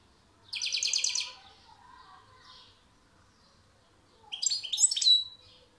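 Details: European goldfinch singing two loud, clear phrases: a rapid, rattling trill of bright notes, then after a pause a tinkling, twittering run of high notes ending in a brief buzzy slur.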